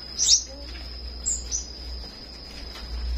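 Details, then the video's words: Morning song of a flowerpecker: two or three thin, piercing high chirps spaced about a second apart, with a low steady hum and a constant high whine behind them. "Buổi Sáng Google Maps Hệ Thống Nghệ Thuật Đam Mê Chim Sâu Hót"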